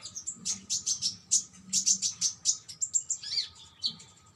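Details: Konin singing energetically in the terotol ngobra manner: a fast, steady series of high, bright chipping notes, roughly three to four a second, ending in a few scratchier, varied phrases over a soft low hum.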